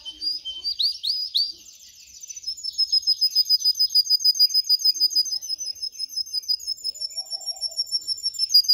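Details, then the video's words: Canary song played for training young canaries to sing: fast, even trills of high, sharp notes repeated about three times a second, after a brief opening of rising chirps and a short pause. "Video for Canary training 25 m. Canary training 0.25 Hour canario canary song"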